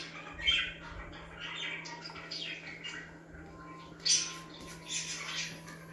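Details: Sparse budgie chirps meant to make other budgies active, scattered short squeaky notes with a sharper louder chirp near the end, a constant low hum in the background.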